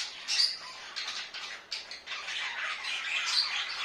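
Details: Budgerigars kept as pets at home give a soft, scratchy warbling chatter of short buzzy notes and squeaks, rising and falling in bursts with brief quieter gaps.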